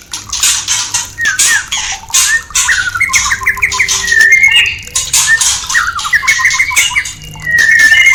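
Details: White-rumped shama in a cage, song meant to raise breeding urge: varied quick chirps and slurred notes in a mid register, mixed with harsh high buzzy bursts throughout, ending in a loud steady noisy stretch.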